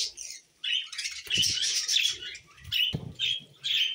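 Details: Pet budgerigars give sharp, bright chirps in quick groups after a silent opening, with a few soft thumps and flutter-like noises between the calls.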